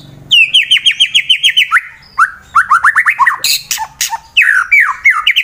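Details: Fighter-type white-rumped shama from Wonosobo, Central Java, Indonesia, singing to provoke rivals into song; a fast run of repeated falling whistles followed by varied rising notes and a sharp rasping burst, faint hum underneath.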